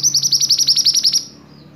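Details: A silver-eye, called a strong master-song singer, delivers a fast high trill of about a dozen sharp, evenly spaced notes that stops abruptly after just over a second.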